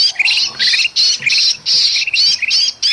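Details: Noisy, agitated kutilang emas bulbul alongside a pinched, distressed bulbul, Sumatran forest, a lure sound for catching birds; continuous harsh squawking bursts, each broken by quick rising chirps, almost without pause.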